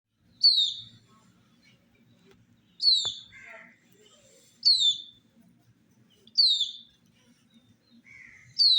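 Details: Colored domestic chicks drinking water in summer: five loud, high, downward-sliding peeps spaced about two seconds apart, with a couple of softer, lower chirps between them in a quiet setting.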